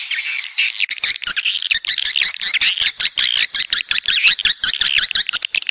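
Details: Coastal swiftlets from the south: after a brief hush, fast clicking ticks start, roughly two to three per second, under swooping, warbled chirps from several birds.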